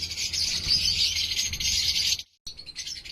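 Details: Chorus of many lovebirds at a breeding farm colony, a steady, thick layer of high, scratchy twittering calls that stops abruptly for a moment near the end and then returns more thinly.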